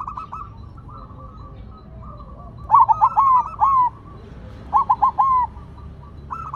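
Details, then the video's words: Silver zebra dove singing actively even when set on the ground: two loud bursts of short, bubbly, rolling coos, each lasting under a second, over fainter trilled cooing from other doves in the background. "Perkutut Silver Tetap Gacor Walaupun Ditaruh Tanah"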